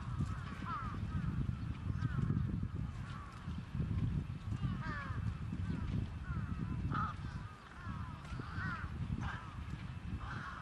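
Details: Several trapped crows give harsh, nasal caws in quick, overlapping bursts, almost continuously, over a heavy low rumble of background noise.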